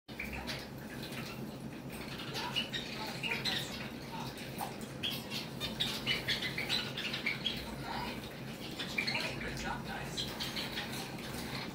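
Zebra finches give a steady stream of short, nasal, high chirps from several birds at once, over a low background hum and faint murmuring.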